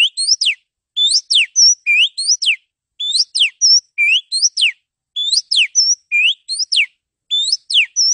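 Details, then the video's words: Training song of a male Oriental magpie-robin. Phrases of steep rising and falling whistles with a short level note recur roughly every second, evenly spaced, clean and free of other sound. "TERAPI MASTERAN MENTAL KACER JANTAN"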